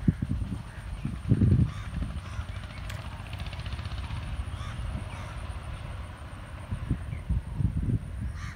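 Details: Dalmatian pelican (Pelecanus crispus), call.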